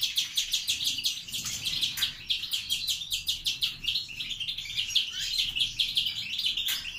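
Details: Captive-bred European greenfinch of the grey-wing mutation singing a continuous, rapid twittering song of buzzy trills and chirps, with sharp notes repeated several times a second and brief higher whistled flourishes, loud and unbroken throughout.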